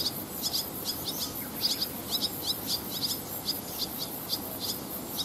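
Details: Barn swallows, a family of adults and fledged young, perched on power lines by rice paddies in Japan on 18 August 2020 during flight training; busy overlapping chirps, short bright notes in quick clusters, faint background hiss.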